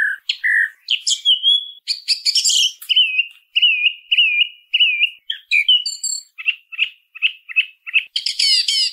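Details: Varied song of a song thrush: low fluted notes, a flat whistle repeated four times, a short clipped note repeated five times, and a final shrill rattling phrase.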